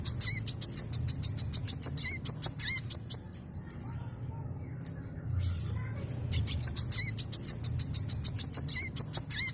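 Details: Sooty-headed bulbul singing in the lively, continuous 'gacor mbeset' style used to lure other birds. Rapid runs of sharp, high chirps and ticks, with short hooked notes dipping lower. The bursts pause midway, then resume, over a steady low hum.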